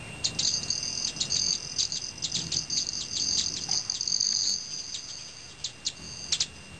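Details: Male Broad-tailed Hummingbirds flying at evening snack-time before bed in Teller County, Colorado, their wings giving a metallic ringing noise: high, sustained shimmering trills broken by quick pulses, rising and fading as the birds pass, some making backwards flights.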